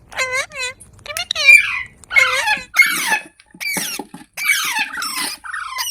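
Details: Parrot voice in a quiet setting: clear curved whistled notes at the start, then harsh, scratchy screeches and sliding squawks in separate bursts, with silent gaps between them.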